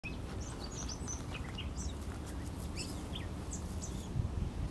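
Gray catbird singing a rambling run of short, varied squeaky and chirping notes, set against a steady low rumble of background noise.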